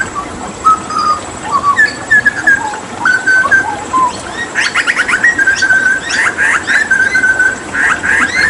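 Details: Hooded butcherbird from Papua during water therapy. Mellow whistled notes rise and fall at first, then give way to dense, buzzy chatter and longer sustained whistles.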